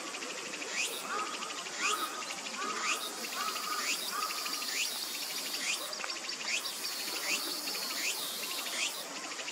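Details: Little grebe young pursuing a parent for food: thin, high, descending whistled notes repeated every second or so, over a dense background hiss of outdoor noise.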